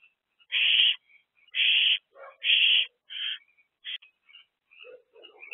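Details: Owl box at night, 23 April 2024, early in an active evening. Quick rasping screeches come about once a second, shortening as they go. Thin squeaky notes and low murmurs follow.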